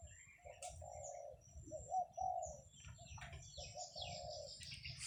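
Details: Cooing of a kept zebra dove on a rural morning, 17 July 2023, during buffalo herding: a few soft burred coo phrases with gaps, mixed with sharp high calls and chirps of other birds.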